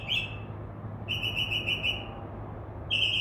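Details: Northern mockingbird, singing in a tree outside a window, delivers level whistled notes, one alone, then a fast even string of about seven, then another starting, against a low hum.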